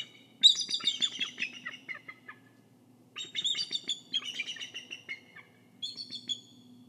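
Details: Bald eagle on the nest guarding an egg, Kisatchie National Forest: high, thin giggling chatters in three bouts, each a rapid series of piercing notes tumbling downward.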